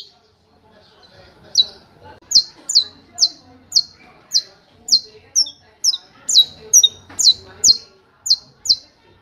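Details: Saffron finch in canto martelo: after two quiet seconds, a steady series of about sixteen bright, descending chip-like notes beats out evenly, some paired with a lower echoing note.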